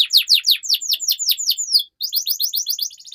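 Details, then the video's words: Canary song for training young canaries: a steady series of loud downslurred chirps, a brief pause, then a quicker run of bright repeated notes. "MASTERAN Burung KENARI Gacor Panjang || Suara Pancingan KENARI Paud Agar Cepat Gacor"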